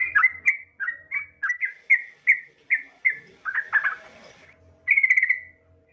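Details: Yellow-vented bulbul female calling a male, played as a lure: a steady series of about a dozen clear, bubbling whistled notes, a brief rougher chatter, then a quick buzzy trill.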